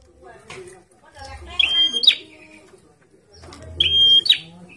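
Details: Bar-winged prinia kept in a cage and sunned outdoors, giving two bright phrases, each a steady piercing whistle that breaks into a quick rising flick, separated by about two seconds; low rumbling and murmuring in the background.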